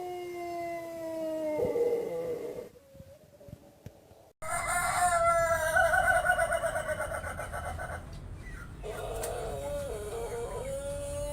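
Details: Crowing from a white Pelung chicken: the tail of a drawn-out crow, a gap of noise, then a loud, rough, pulsing crow with a wavering end, amid background noise.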